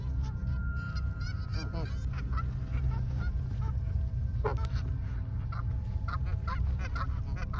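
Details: Wild Canada geese in Canada charging a person as a flock, honking loudly with wings spread; scattered nasal honks from several birds, some bursts rapid, others spaced, against constant low background rumble.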